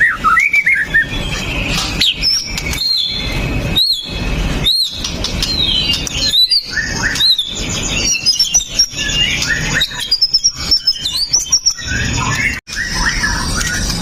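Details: White-rumped shama, an aggressive caged male used to provoke other males into singing, recorded on a phone: rich high whistles, rapid slurred phrases and sharp notes, broken by loud clicks and knocks.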